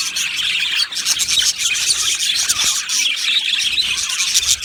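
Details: Aviary full of budgies giving a continuous babble of rapid chirps and tweets, layered warbling from numerous birds, fairly even in loudness with brief dips.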